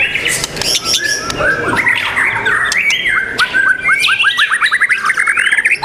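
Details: Competition bird, a white-rumped shama at The Legend Murai Batu Nusantara contest, 12 December '21, pours out varied whistles and slurs, then a fast even run of repeated clipped notes near the end, other birds overlapping behind.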